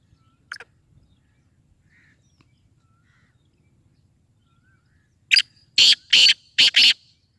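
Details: Black Francolin (kala teetar) calling: after a long quiet stretch, a rapid series of four loud, harsh, grating notes fills the last two seconds. A short faint note is heard near the start.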